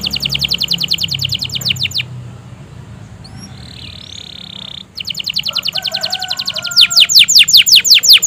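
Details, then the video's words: Canary song played to encourage canaries that rarely sing; fast, regular trains of steeply descending notes, a quieter gap with a few faint chirps, then the rapid repeated notes resume and grow louder. "pancingan suara burung kenari gacor panjang! ampuh merangsang kenari yang susah bunyi"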